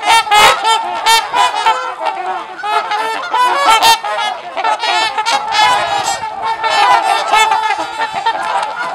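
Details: Group of trumpeter swans socializing at LaSalle Park in Ontario, Canada, giving loud brassy honks in dense overlapping bursts, several birds trumpeting together throughout with brief louder peaks.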